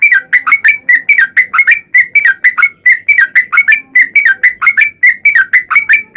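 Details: Sooty-headed bulbul (trucukan), a lively ropel panjang fighting-style song played as a lure so other bulbuls sing back; bright bubbly whistled notes around two per second, steady throughout, with a faint low murmur beneath.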